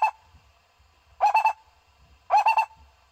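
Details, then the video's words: Barbet decoy call for trapping: two clipped, hollow triple-note phrases about a second apart, each note quick and rolling, over faint low background rumble. "เสียงนกโพระดกต่อมารเข้าเร็ว เสียงนกเสียงนกโพระดก ສຽງນົກ ຂອນໂດກ"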